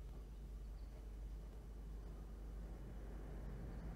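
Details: Steady low rumble of distant traffic or engine noise, with no animal calls heard.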